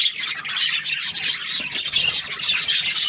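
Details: A short burst of happy budgie chirping: rapid bright whistled notes and twitters packed tightly together.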